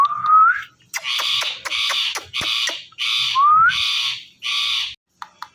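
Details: Indian ringneck parakeet, a talking pet parrot, gives a rising whistled slur, then a rapid series of loud, raspy, meow-like bursts, another upslurred whistle, and more hoarse syllables before trailing off.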